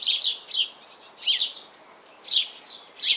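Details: Hungry young great tits calling for their parents to feed them, after leaving the nest and spreading out so the adults must search for them; bursts of high, sharp, chirping notes in quick clusters, with short pauses between groups.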